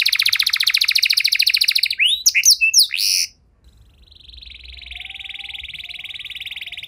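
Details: Canary song meant to prompt other canaries to sing: a loud rapid trill, a few sharp sweeping whistles, a short silence, then a softer, steady, buzzy rolling trill.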